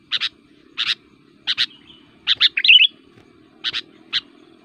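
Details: Sooty-headed Bulbul, a combative singer used as a lure, gives spaced double chirps around a short liquid warbled burst, with a steady faint low hum behind.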